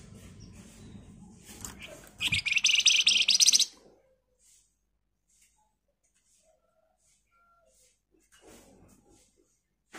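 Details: Red avadavat in full, dense trilling song, played as a lure for other birds to answer; one fast buzzy high burst lasting about a second and a half after low background rumble, then near silence.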